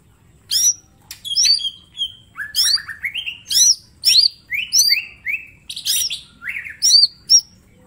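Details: Mini green leafbird singing energetically as a training master: bright falling whistles mixed with rapid high chips and twittered notes, phrase after phrase with short pauses, in a quiet setting.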